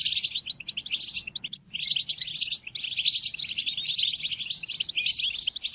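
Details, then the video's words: European goldfinch song used as a tutor recording for training captive goldfinches, including during moult: rapid, liquid twittering and tinkling notes in dense bursts, with a brief pause near the middle before the chattering resumes. "قدم هذه الآصوات لطائرك الحسون وشاهد ماذا يفعل Chardonneret"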